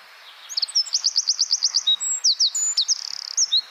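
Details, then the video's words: Rapid-fire 'bren tembakan' song of a wren, kept for training songbirds: a run of about ten evenly spaced sharp high notes, followed by whistled tones and a brief buzzy trill. "Masteran Burung Suara Tembakan Wren Bird Suara Bren Tembakan Rapat Burung Kecil"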